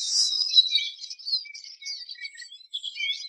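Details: Eurasian siskin singing a rapid, high twitter mixed with thin drawn-out whistles and short chirps, louder at the start and fading slightly.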